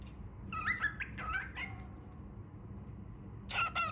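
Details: Baby cockatiel giving a run of short, warbling chirps that rise and fall, then a quiet pause and a final burst of squeaky notes.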